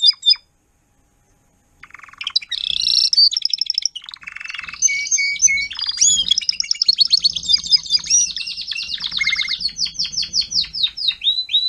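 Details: Timbrado canary, an adult lead singer teaching juveniles, 2021: after a brief silence, buzzy rolling phrases and held whistles build into an extended fast pulsed trill that slows toward the end.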